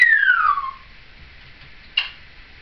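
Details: Pet seven-year-old female Timneh African grey parrot chattering along with her caregiver indoors, 2012: a long clear whistle sliding smoothly downward over most of a second, then a short sharp squeak after a pause.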